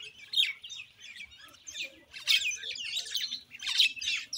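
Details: Common Indian myna delivering loud bursts of scratchy, gurgling chatter mixed with short squeaks, in three or four noisy phrases over a faint low background hum.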